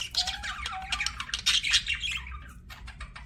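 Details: Budgerigar chirping: busy raspy warbles with a short, steady whistled tone early on, then bright squeaks that thin out into scattered clicks and chirps.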